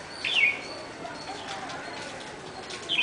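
A bulbul gives a quick, bright whistled phrase that slides downward, then starts another brief phrase a few seconds later over a soft, steady background hiss.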